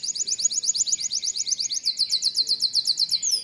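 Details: Canary kept in a breeding room, its song said to warm up the chicks: a fast, even, high-pitched trill of repeated chirping syllables with a brief change of rhythm midway.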